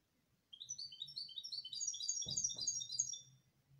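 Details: Canary song of rapid, layered high chirps and trills running about three seconds, with two short knocking sounds in the middle.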